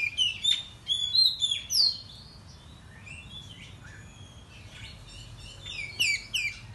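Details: Oriental magpie-robin, morning lure song meant to make rivals emotional and display: rapid, varied whistles with steep upward and downward slurs in a loud opening run, quieter twitter in the middle, and another vigorous burst at the end.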